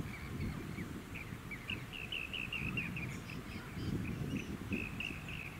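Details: Rainbow bee-eater calling on Bribie Island, Queensland, in October 2019: a long run of brief rolling trills, evenly pitched and repeated several times a second in bursts, with fainter higher chirps and a low rumbling background.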